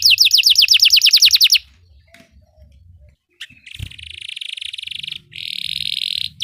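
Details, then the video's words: Belgian canary singing to train canaries: a burst of rapid falling notes, a quiet gap with a soft click, then long buzzy trills held at one pitch. "Belgian canary singing makes your canary sing"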